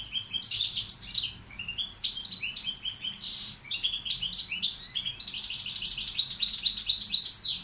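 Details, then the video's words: Goldfinch of the Balkan form Carduelis balcanica, a tutor bird, delivering a long varied song: chattering twitters, nasal buzzes and rapid rising slurred whistles, nearly unbroken. "Carduelis balcanica učitelj... Izbrojite mu ture"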